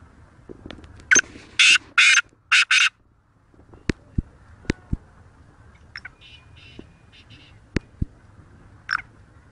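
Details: Black francolin from Sindh, Pakistan, known locally as kala teetar, delivering a loud, scratchy phrase of about five rasping bursts early on. Scattered sharp clicks follow, with faint distant chirps later.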